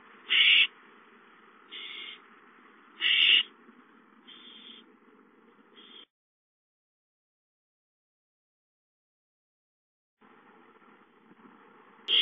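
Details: Owlets in a nest, watched on a live camera on 5-9-13, give harsh, hissing screeches of under a second. Five bursts come at irregular intervals over six seconds, then a silent gap, and another screech starts at the end.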